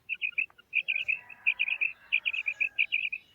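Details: Female quail calls in quick bursts of three or four high, sharp notes, the bursts following one another almost without pause. The background is quiet.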